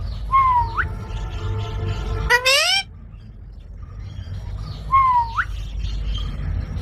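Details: An upward-sliding whistle leads into a steady tone and then a brief harsh parrot squawk, followed after a pause by another rising whistle, with low rumbling noise throughout.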